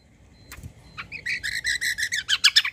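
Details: White-eye (kecial kombo) lure song to make other birds answer. A few scattered notes open, then a rapid, steady string of bright chirps builds in loudness toward the end.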